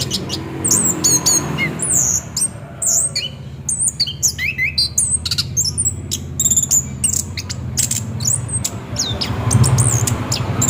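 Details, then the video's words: Lure recording of an orange-headed thrush singing continuously in the 'ngeroll' style. Dense, varied phrases of high whistles, clipped chips and swooping notes run almost without pause over a low background drone. "Pancingan bunyi nada Anis kembang ngeroll"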